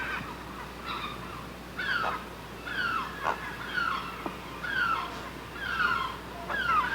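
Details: Great blue heron screaming at the nest: harsh, nasal, downward-sliding cries with rich overtones, repeated about once a second over steady background hiss.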